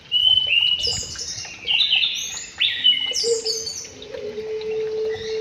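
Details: Aviary white-rumped shama delivers bright, fast phrases of high slurred and swooping whistles, followed by a long steady low whistle.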